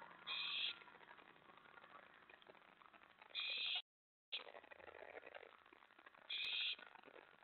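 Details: Owl at a nest around 1 AM on May 24, 2017, during mouse and rat deliveries to an owlet. Three harsh, hissing bursts, each about half a second, arrive roughly every three seconds over a steady rustling background, with a brief dropout midway.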